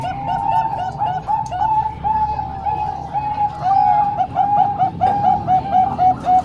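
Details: Zebra dove song from a mix of Bangkok-type and local birds, used to train young doves: rapid bubbling coo phrases of short looping notes, steadily repeated with slight pauses, over a low background hum.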